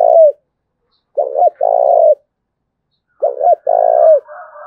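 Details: Spotted dove from Đồng Nai cooing in the rapid "thúc bổi" style: soft, low, hollow coos in short groups, a stuttered double note followed by a longer drawn-out coo, repeated about every two seconds, with a faint hum at the end.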